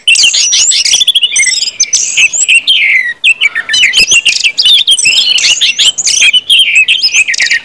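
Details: Loud open ngeplong singing from an orange-headed thrush, meant to trigger song in other birds: continuous jumbled high whistles, buzzy fragments and downslurred notes running throughout.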